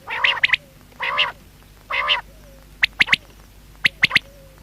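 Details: Common quail alternating low, nasal, harmonic mewing notes with quick high clipped triplets, each phrase about a second apart; faint hum behind.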